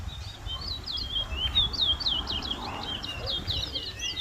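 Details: Towa towa (chestnut-bellied seedfinch) in a bird whistling competition at a bird ground in Berbice, Guyana, 2022; rapid high whistled phrases of quick rising and falling slurs, continuous and lively, over a low rumbling background.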